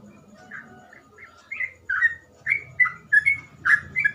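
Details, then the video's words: Sooty-headed bulbul, locally trucukan, in lively ropel song meant for tutoring untrained birds: soft warbled notes at first, then louder rich whistled phrases about every half second over low background rumble. "burung trucukan gacor ropel cengkok mudah di tiru trucukan bahan"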